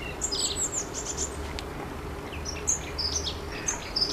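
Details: Long-tailed tit calls: high, thin, short chirps strung in quick irregular bunches, with steady low background hum.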